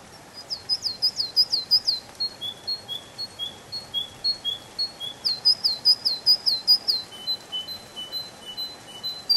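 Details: Canary song in a spring forest, made of quick series of high, slurred chirps followed by steadier, lower whistled notes that repeat several times a second.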